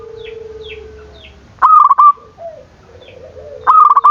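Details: Zebra dove song played to provoke rival birds and restart silent ones: soft high chirps and a low steady tone first, then two loud rattling phrases of fast clipped coos separated by a muffled lower note.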